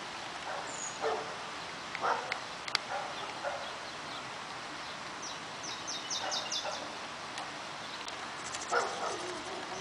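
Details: A nesting pair of House Wrens feeding their brood, recorded June 21: quick bursts of high, dry repeated notes, one run near the middle and another at the end, with scattered lower chips, clicks and steady background hiss.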